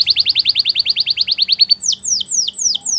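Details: Timbrado canary song: a fast rhythmic run of about seven notes per second, shifting into loud descending whistled swoops.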